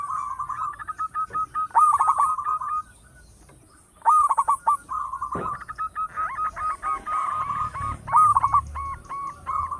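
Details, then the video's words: Local zebra dove in loud, active song meant to lure others: clipped rapid coo bursts and rolling trills, a brief pause, then a long series of spaced, ringing repeated notes. "Perkutut lokal gacor suara besar bikin gempar bunyi seteras cocok buat pancingan"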